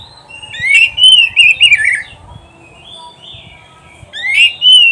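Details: Training recording of an oriental magpie-robin: bright whistled phrase of rapid slurred notes dropping at the end, a pause with faint thin whistles, then a new loud rising phrase begins.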